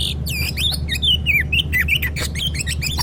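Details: Oriental magpie-robin in an agitated, emotional state, used to prompt a silent bird to answer: dense run of varied whistled notes, rising and falling slurs and sharp chips in quick succession, over a steady low hum.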